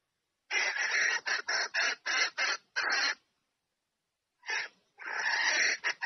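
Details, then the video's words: Female red junglefowl calling the male to mate: a rapid run of about ten harsh, rasping cackle notes, a short silence, then another burst of similar hoarse notes; no other sounds. "Tiếng GÀ RỪNG MÁI Gọi Trống Chạy Về Đạp Mái Tốc Độ / Âm Thanh Gà Rừng Mái Kêu"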